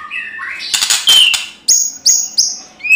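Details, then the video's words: White-rumped shama singing in fighting mode as a lure recording: low rising whistles, a harsh buzzy rattle, then three clear high flat whistles and a short rising note. "CUMA SEBANTAR MURAI LAIN IKUT GACOR TARUNG"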